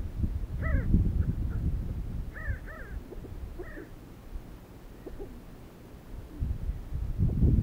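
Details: Desert sandgrouse, flocks gathering to drink water, captured on a Sony HDR-CX405: a scattered series of short bubbling two-part calls in the first four seconds, then quieter, with loud low wind rumble throughout.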